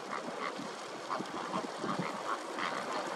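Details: Greater flamingo flock calling: nasal, goose-like honks with bright bands, overlapping and irregular at roughly eighty per minute, over a steady murmur of background chatter.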